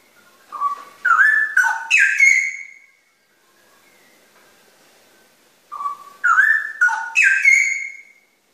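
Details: Straw-headed bulbul, locally called cucak rowo, singing two loud rich bursts of liquid warbled whistles that slide upward and end in a ringing high note, separated by a quiet pause of about three seconds.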